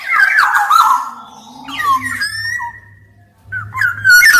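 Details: Singing black-naped oriole. A loud, rough, nasal phrase leads into softer curving whistles and a long level note, then a hushed gap, and finally bright whistled slurs with a low hum underneath.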